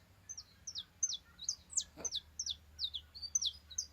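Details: Backyard saffron finch delivering a steady string of high, clipped, downslurred notes, about three per second, each a sharp bright chip, with one brief knock partway through and a faint low hum underneath.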